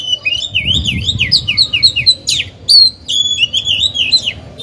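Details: Caged oriental magpie-robin kept as a decoy, singing to stimulate newly caught birds and train young birds. Its song is a fast run of sweet, rising-and-falling whistled notes with sharp high chips, delivered steadily without pause.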